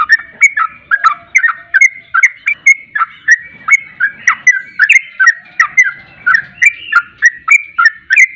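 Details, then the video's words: Sooty-headed bulbul song used as a lure to trigger singing: rapid, repeated bubbly whistled phrases, each a quick warbling burst around two to three per second, steady and loud with no other sounds. "Pancingan Trucuk Ampuh Nyaut Ropel Hitungan Detik"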